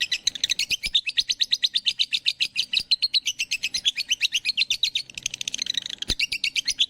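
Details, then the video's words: Small bird chirping rapidly and continuously, high bright notes repeated about three times per second with a steady rhythm, a brief click near the end, no other sounds. "Bird Chirping Sound"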